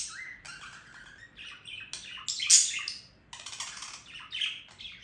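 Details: Budgerigar singing a buzzy, scratchy warble with some longer drawn-out nasal notes and one sharp loud squeak midway. A brief lull comes before the chatter resumes.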